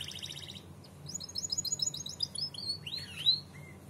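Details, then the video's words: Canary singing a lively, gacor standard song of high, fast trills of repeated chirps, then a slurred rising whistle, over a faint low hum; a long master recording for young magpie robins and other songbirds to copy. "PANCINGAN KENARI PAUD NYAUT BUNYI DAN GACOR"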